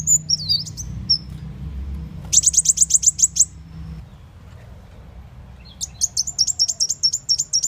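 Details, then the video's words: Bird-catching lure of a sunbird: a wavering high whistle, then two rapid bursts of sharp, evenly spaced ticking notes about eight per second, separated by near silence, over low hum. "Panggilan Burung Muncang"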